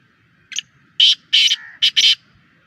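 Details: Black Francolin known as Kala Teetar, Sheedi strain, held captive for sale: a short soft lead-in note followed by four loud, harsh, grating notes in close succession, with a quiet background.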